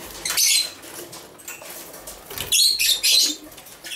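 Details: A masked lovebird (Agapornis personatus), one of two moulting 7–8-month-old males that preen each other, gives two bursts of shrill, harsh chattering squeaks, the second a quick run of three sharp notes, with faint rustling between.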